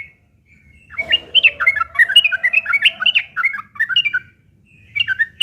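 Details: Sooty-headed bulbul giving a harsh fighting song used as a lure to make other bulbuls answer: a quiet lead-in, then a rapid chattering run of short, squeaky, warbled notes for about three seconds. A brief burst follows near the end.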